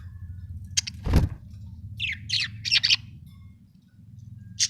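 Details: A budgerigar said to be happy gives a run of rapid, high, scratchy chirps in small clusters, with a brief loud thump near the start and a low background hum.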